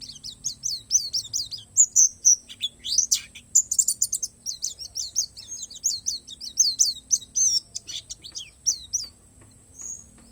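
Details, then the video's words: .Palas Borneo Oriental white-eye singing a song with natural-style fill: fast bursts of thin, very high chirps and slurred downward notes, delivered in lively runs before tailing off into quiet near the end. "SUARA PLECI PALAS BORNEO"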